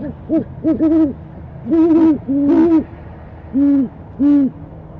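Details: Loud, clear calls from a female owl asking for dinner, January 22, 2015: a string of deep arched hoots, some doubled and overlapping in pairs, then two long steady hoots near the end, with faint background hum.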